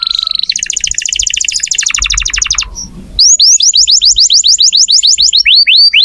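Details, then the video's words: Lively canary used to train magpie-robins in the 'nembak' style, delivering a dense rattling trill of rapid notes, a brief pause, then crisp rising whistled slurs repeated steadily, roughly three or four each second. "Kenari gacor cocok buat masteran kacer nembak"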